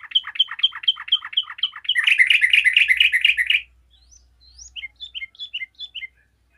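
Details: Yellow-vented bulbul singing and answered by other bulbuls, a steady series of bright repeated chirps followed by a dense rolling chatter, then scattered rising whistles and short sharp notes trailing off.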